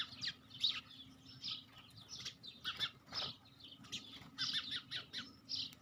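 Sparrows chirp busily: harsh, high cheeps in quick irregular bursts, several per second, over a faint steady mechanical hum.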